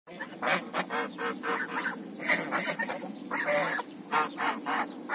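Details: African geese calling: a run of short, harsh honks with some overlapping, and a steady low background hum throughout.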